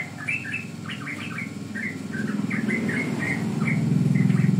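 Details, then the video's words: Yellow-vented bulbul song used to lure and train birds; quick bubbly note clusters at an uneven rhythm, while a low engine-like rumble grows louder toward the end. "Pancingan Ampuh Burung Trucukan Paud"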